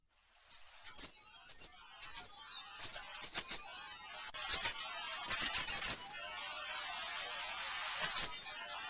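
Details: Grey wagtail uttering thin, high metallic chirps in pairs and quick runs of four or five, spaced irregularly across several seconds with a soft hiss behind.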